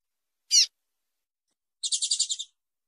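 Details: Female Double-collared Seedeater calling to stimulate male song for tournament preparation; one sharp descending chip, a pause, then a rapid buzzy rattle of about eight pulses.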